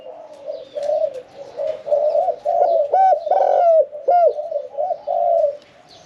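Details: Cooing from a caged Spotted dove of medium voice, one kuk style: a quiet start rising to a few louder, looping hollow coos mid-phrase, then fading to softer trailing notes.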